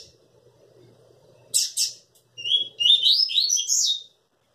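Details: Crossbred coleiro in full song: two sharp buzzy notes, a brief pause, then a quick tumbling sequence of bright whistled notes, over a quiet low indoor hum.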